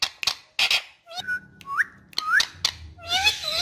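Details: Pet talking ringneck parakeet: speech-like harsh syllables mixed with clear whistled notes that slide upward, some held briefly, over a constant low indoor hum.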